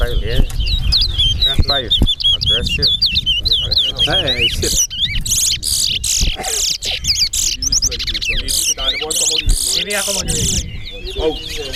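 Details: Singing race between towa towa birds at Alligator Pond: a long, dense run of high twittering trills and sliding whistles, nearly continuous, over a steady background of people talking.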